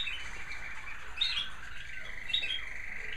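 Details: American Singer canaries singing in indoor bird rooms in the evening during cleaning and feeding: a steady high warbling thread with two brighter chirping bursts about a second apart, over a low indoor rumble.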